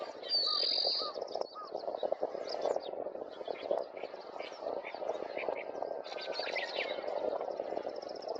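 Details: Wild Oriental Greenfinch in central Hyogo Prefecture (Kita-Harima), Japan, on 2 May 2021, giving one of its plainer, understated call types. A loud buzzy high note opens, followed by scattered short chirps and twitters over strong low wind rumble.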